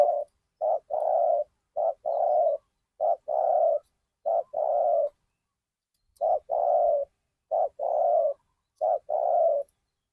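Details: Spotted dove kept as a decoy to lure wild birds at Ban Nong Hin, giving low, mellow coos in paired phrases, a short note then a longer one, repeated steadily with a brief pause midway; quiet background.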